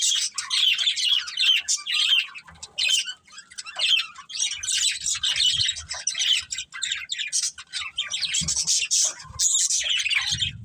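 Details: Several pet budgerigars keep up a busy stream of scratchy warbles, squawks and bright chirps, flowing almost without break, with occasional quiet low bumps underneath.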